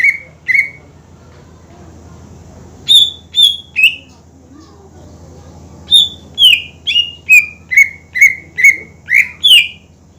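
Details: Greater green leafbird whose song is played to make rival birds sing; two low whistles, then three higher ones, a pause, and a fast run of about ten falling whistled notes, over a soft hum.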